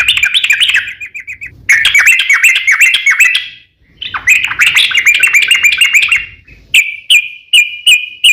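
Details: Sooty-headed bulbul song used to prompt other bulbuls to answer: bursts of bubbly, warbled whistled phrases with quick rising and falling notes, broken by short pauses, ending in a series of repeated clipped notes.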